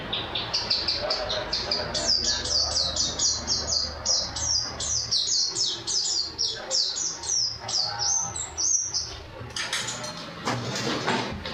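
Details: Nationally winning white-eye, its song packed with canary-style phrases, delivers rapid high twittering notes and downslurred whistles in a dense stream, thinning near the end where a brief low voice and a louder burst break in.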